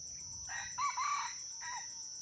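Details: Wild red junglefowl in Aceh, at Bukit Sibreh, during a crowing contest: a short, moderately loud harmonic crow of about one and a half seconds with a wavering tone, over a steady high insect hiss.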